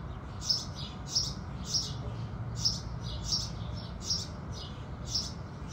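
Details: House sparrows sing as the sun rises: a steady run of sharp, high chirps about every half second, each note clear and bright above a low, even rumble.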